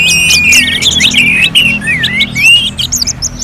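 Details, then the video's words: Orange-headed thrush singing in a competition style. Clear, long whistled notes alternate with fast looping, slurred warbles, bright and sweet, over a faint low hum. "KICAUAN ANIS MERAH SEPERTI SIMULASI LOMBA"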